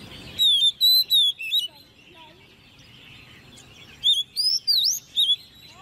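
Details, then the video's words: Hand-raised caged Oriental magpie-robin, ten months old, singing in competition. Four bold whistled notes at the start and another phrase of four, including a deep V-shaped swoop, stand out over a quiet murmur of other birds. "Chú Choè Than Nuôi Non 10 Tháng Lồng Mỏ ''SIÊU DỊ'' Hót Đấu"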